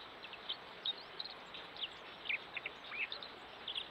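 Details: Two Dunnocks courting early in the morning, caught on a trail camera, trade brief, high, thin chirps at an uneven pace, roughly one every second, over a steady background hiss.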